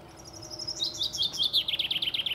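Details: Common chaffinch song, sung by the male: high thin whistles give way to a descending series of repeated rattling phrases, closing with a brisk terminal flourish.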